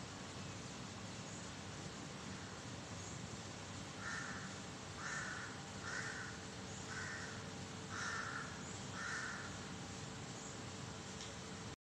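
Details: Black crow cawing on 13 May 2023, a series of six rough, flat caws at roughly one-second intervals in the second half, over constant rushing background noise.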